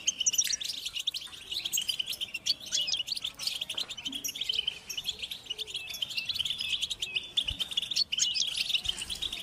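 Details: Group of European goldfinches singing outdoors; constant high-pitched twittering chatter with buzzy trills and scattered sharp notes, fairly even in loudness throughout.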